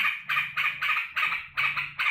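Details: Kept yellow-vented bulbul, happy at its keeper's return from work: a short burst of loud, rasping chattered notes, about four a second, over a faint low hum.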